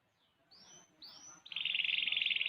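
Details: Six-month-old canary singing: two thin rising whistled sweeps, then a dense, buzzy rapid trill that holds steady and strong to the end.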